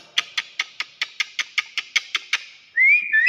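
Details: Common hill myna, race intermedia, Thailand, produces eleven evenly spaced dry clicks in quick succession, then a sudden high rising whistle.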